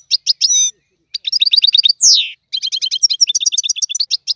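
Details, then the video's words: Goldfinch song in the Tiwawati style from a trained singing bird: rapid liquid twitters and rattling buzzy trills, broken by a loud descending slurred note, then a long run of bright chattering syllables. "تغريد الحسون طيواواطي"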